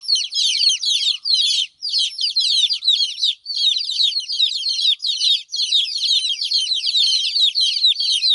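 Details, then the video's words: Baby chickens, a crowd of chicks chirping together: dense, overlapping high-pitched peeps, short downward-sweeping notes tumbling over one another almost without pause, with brief dips between bursts. "Cute Baby Chicks Chirping Sound"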